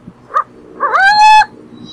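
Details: Burrowing owl: a short nasal note, then a longer drawn-out whining call that rises and holds steady for about half a second, with faint background hum.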